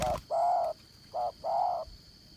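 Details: Spotted dove kept as a trapping decoy, with the 'Đồng Son' voice style, gives three low cooing notes, short, long, then short, against a quiet background with a faint steady high hum.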